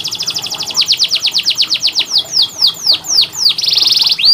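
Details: Tutor song for training canaries that are reluctant to sing. A rapid series of bright downward-sweeping notes slows into longer, spaced slurs, then ends in a dense buzzy roll and a final rising whistle.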